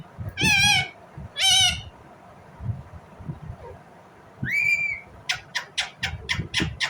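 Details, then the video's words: Two long, strident, wavering screeches from an Indian ringneck parrot, then a rising whistled squeal. A quick run of sharp, clicking chirps follows. "Indian Ringneck parrot Natural sound, parrot chirping sound"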